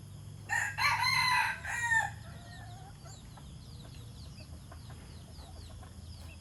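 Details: Red junglefowl, a white decoy cock, crows once in rough, stuttering segments lasting about a second and a half, then trails into quiet background with faint insect-like ticking.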